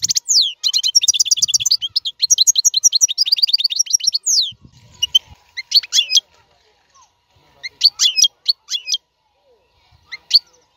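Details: European goldfinch song, described as a strong, error-free song for tutoring caged young birds: about four seconds of rapid, high, liquid twittering, then scattered sharp chirps and short bursts with pauses between.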